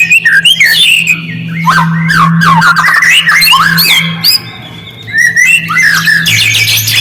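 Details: White-rumped shama singing on a lure track meant to provoke silent shamas: rapid, varied whistled phrases with sharp clicking notes and downslurred notes, continuous and energetic, backed by a steady low hum.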